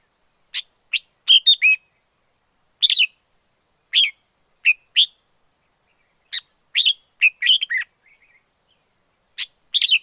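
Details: A wild red-whiskered bulbul sings cheerful, quick warbles. Single sharp notes and grouped two- to four-note phrases are spread unevenly through the recording, with a faint constant high whine behind.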